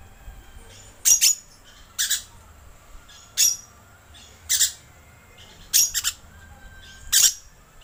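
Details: Lure sound of a green lorikeet: grating, noisy squawks, sometimes doubled, repeated roughly once a second with short silent gaps.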